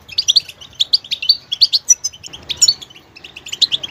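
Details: Clear goldfinch song: crisp, high chirped notes in quick paired and tripled groups, a thin whistled slur, then more twittering after a short pause.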